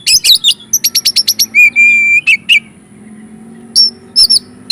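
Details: Caged Oriental magpie-robin (kacer) singing in full ngobra style, used as a lure to excite other magpie-robins: rapid burst of sharp high chirps, then a steady whistled note and scattered bright trills.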